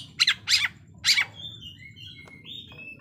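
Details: White-rumped shama song played to provoke rival birds into fighting: three loud harsh broadband bursts, then soft clear whistles sliding and held at mid-high pitch.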